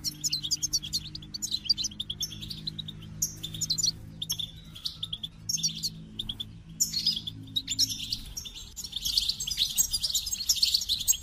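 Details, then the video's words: Goldfinch singing in sporadic bursts of high twitters and trills, broken by short silences, then building into a denser tinkling run near the end over a faint low hum. "The Captivating Call of Goldfinches"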